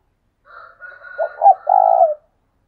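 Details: Decoy spotted dove calling, thúc sung: a soft higher drawn-out tone overlaps one deep coo made of two short pulses and a longer humming note.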